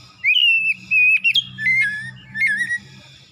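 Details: Morning song of an oriental magpie-robin, used to lure a quiet kacer into singing. Long, steady whistles step downward in pitch with a few sharp upward flicks, and there is a faint low hum underneath.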